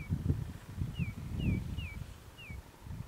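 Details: Oriental magpie-robin heard at a trapping site. A few clean, descending whistled notes are spaced about half a second apart, over a steady low rumbling background.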